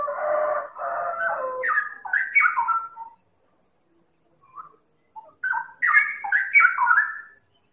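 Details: Medan White-rumped shama singing as a lure recording to draw out other birds: loud, varied chattering phrases with rich harmonics, a near-silent gap with two brief notes, then another burst of mixed whistles.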